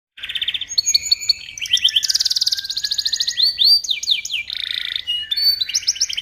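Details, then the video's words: Canary song, recorded as tutor material for training white-rumped shamas: rapid rolling trills at shifting speeds, whistled upslurs and downslurs, and buzzy high tours, each phrase jumping to a new pitch band. "Suara Burung Kenari"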